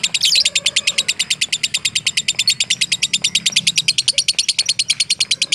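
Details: Fighter lovebird opening with a loud flurry, then keeping up an even, rapid series of sharp, high chirps; soft low rumble in the background.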